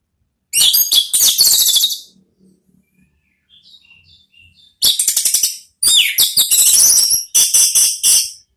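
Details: Orange-headed thrush 'ngeplong' song played to coax thrushes into answering; a loud stuttering high phrase, faint soft notes in a pause, then a long sequence of rapid, pulsed, high chattering phrases.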